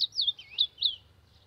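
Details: Warm-up song of an Ultramarine grosbeak: a few rich, slurred whistles swooping up and down, delivered quickly in about one second, on a quiet background.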